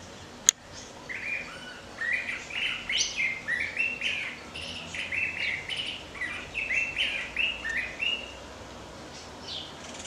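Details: Songbird singing to call its mate: after a sharp click, a long run of bright chirped notes, each slurred briefly up or down, repeated about three per second in loose groups, over light background hiss.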